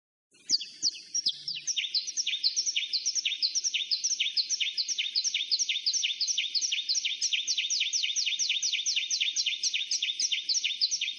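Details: Canary song: after a brief scratchy start, a long, rapid rolling trill of crisp high notes pours out steadily for about ten seconds, dense and even. Nothing else is heard.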